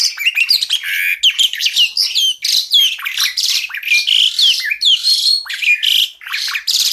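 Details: Javan pied starling (jalak suren) singing in a full-variation 'tembakan' style, kept as a master recording for tutoring songbirds: a dense, continuous stream of clear whistles, sharp rising and falling notes and harsh buzzy phrases, with no pauses.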